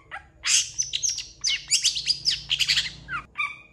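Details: Long-tailed shrike singing an energetic song rich in mimicry: a fast jumble of high chirps, squeaky slurred whistles and scratchy notes, ending in a couple of short clear whistles.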